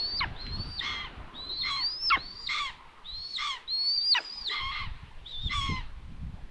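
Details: Common buzzard mother at a nest in Tiszalök, Hungary, June 21, 2022, delivering food to an empty nest; loud, high mewing calls, each a level whistle that drops sharply at the end, repeated about once a second, with faint knocking below.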